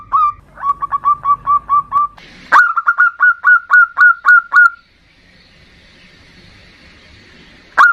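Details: A lure song from a local zebra dove in the 'ndudut' variation style, meant to provoke a rival. Two long runs of staccato, slightly rising coo notes, each about a dozen strong, followed by faint background hiss.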